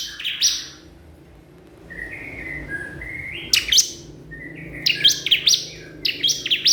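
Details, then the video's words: Crystal prinia calling out to a rival, starting with a sharp note, then soft, drawn-out buzzy tones, then rapid bursts of high, piercing, downward-swept chirps. "cikris/ciblek kristal gacor memanggil lawan"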